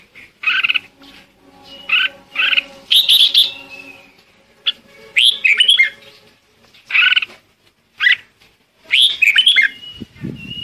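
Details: Red-whiskered bulbul calling the flock: short bright chirping phrases, some with a sustained whistled tail, come in bursts every second or so, with a steady low hum underneath and a brief rustle at the end.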